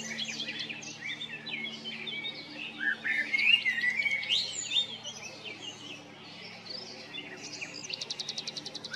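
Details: Male common blackbird singing at Jarun or Prečko, Zagreb, Croatia, in April or May 2022: warbled, varied whistled phrases with sliding notes, then a quick burst of repeated high ticking notes near the end.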